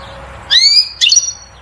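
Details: European goldfinch singing to excite the female toward mating and nest building: two short high phrases, a rising whistled slur with harmonics followed by a brief buzzy twitter, against faint low background hum.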